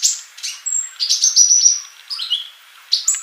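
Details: Male olive-backed sunbird singing to teach young birds that are still silent: long thin high whistles held level, broken by quick chirps, with a falling slur near the end and a sharp final note.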